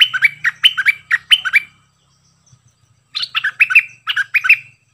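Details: Cream-vented bulbul singing a 'double song' style in two bursts, each a quick run of bright, warbling, up-and-down whistled notes repeated about six times, with a one-second pause between bursts; a faint low hum underneath.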